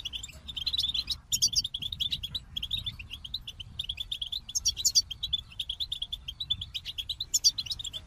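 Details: Goldfinch singing a fast, continuous twittering song of short high chirps, with brighter tinkling bursts around the first, fifth and seventh seconds, over a faint low rumble.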